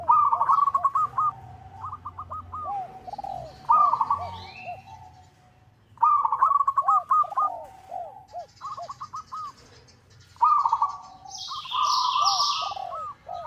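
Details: Local zebra dove (perkutut) calling to rivals, used as a lure call: bursts of soft, rolling staccato coos, each a few seconds long with short pauses between; a thin, higher chirp from another bird near the end.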